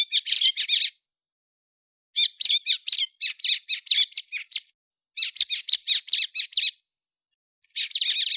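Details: September 2020 recording of a héc xoan bird: four phrases of rapid, high twittering notes with chirps and squeaks, each lasting one to two seconds with short pauses between; no background noise.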